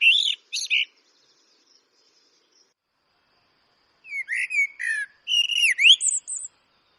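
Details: Eurasian blackbird singing: two short bursts of fluting whistles with high squeaky notes, a pause of about three seconds, then a longer phrase of mellow warbled whistles rising and falling and ending in thin high twitters.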